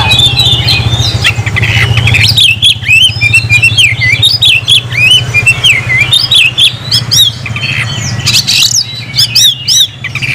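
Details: Captive oriental magpie-robin in full, energetic song: varied whistled phrases, rising and falling slurs and harsh chattering, loud over a steady low engine-like hum and background noise.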